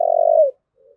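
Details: The tail end of a spotted dove's long, low, steady coo in 'thúc gù' style, fading out, followed by a faint short murmur.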